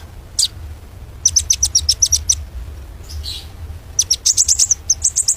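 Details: White-rumped shama singing in bursts of fast, very high, sharp chipping notes, several per second, broken by short pauses and a soft rustle, with a faint low hum underneath.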